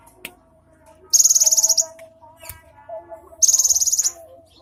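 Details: Cinereous tit recorded 3 April 2023 with 'isian mewah' filled song: two loud, rapid high rattling trills about two seconds apart, each of roughly ten quick notes, with a faint low hum and scattered clicks between.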